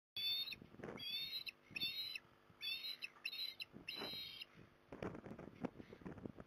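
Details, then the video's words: Osprey at Port Lincoln, Australia, in December, a mother perched on a magpie perch calling to lure her juvenile back home: repeated loud, high whistled chirps in short bursts, with rustling and wind noise below. "Mum With Magpie Perch Trying To Lure Dew Back Home"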